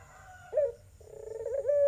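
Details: A tangerine Barbary dove, used as a lure call for doves that have stopped cooing, gives a low, soft coo: a brief swell, then a longer rolling, slightly wavering note that ends steady.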